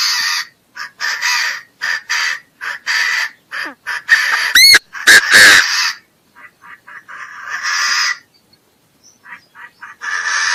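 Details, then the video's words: Repeated harsh, scratchy calls of a Chinese francolin in rapid clusters. Midway come a few loud clicks and sharp rising whistle-like sweeps, then more rasping note series. "Suab noog qaib qas qas qua zoo dib tuaj zoo heev"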